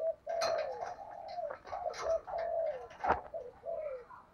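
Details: Spotted dove with thổ-style voice calling as a lure for other doves: a continuous string of soft, flat, hollow coos rising and falling in volume, heard through steady hiss and a couple of sharp knocks.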